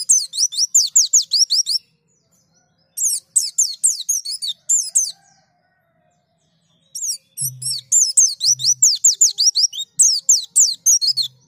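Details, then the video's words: White-eye gives high, thin twittering in fast, jumbled bursts of sweet chirps separated by short pauses, with a few faint low thumps; a lure sound to get other white-eyes to start singing. "Pancingan pleci agar buka paruh"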